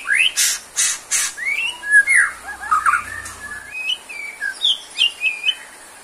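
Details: Murai batu, the white-rumped shama, singing vigorously for stamina therapy: opening sharp clicks, then a tumbling run of liquid whistled slurs, ending in a steady series of short upslurred whistles about twice per second.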